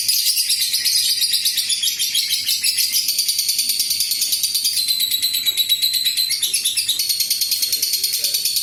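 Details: A lovebird's long ngekek, used as a lure so that other lovebirds answer. Shrill, grating, rapid pulses stream on steadily for several seconds, with small shifts in pitch and no pauses.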